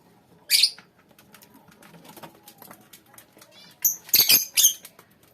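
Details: Lovebirds in a colony giving one sharp screech, soft background chatter, then a quick run of three or four piercing, harsh calls near the end.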